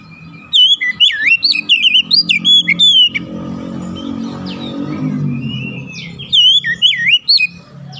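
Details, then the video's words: White-rumped shama song used as a lure to trigger other shamas to sing: loud, varied whistled phrases with rising and falling slurs, in bursts at the start and end, separated by a quieter stretch with a low hum. "APAPUN JENIS KACER PASTI TERPANCING LANGSUNG IKUT GACOR"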